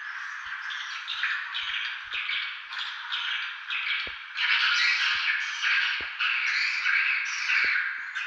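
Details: Swiftlets recorded at Tambunan, proving they live there: continuous overlapping squeaky chirps and trills from many birds, building in loudness halfway through, with scattered faint clicks and knocks.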